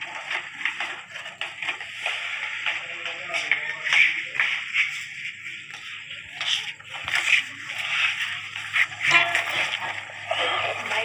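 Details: Three pet ringneck (rose-ringed) parakeets playing in a house courtyard give harsh, raspy screeches and short squawks mixed with scratchy mimicked talk; rose-ringed parakeet calls.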